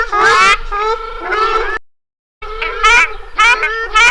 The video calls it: SOUND OF A RUDDY SHELDUCK